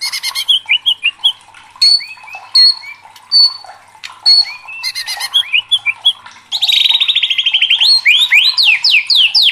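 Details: Agitated white-rumped shama in vigorous song: harsh clicks and whistled notes in uneven bursts, then a sudden loud, rapid rattling trill with a cascade of swooping whistles at the end.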